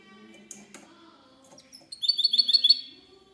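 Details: Goldfinch mule in 'cante limpio' style, 19 March 2020: a faint rustle and scattered soft sounds, then about a second of loud, rapid chirping trill near the end.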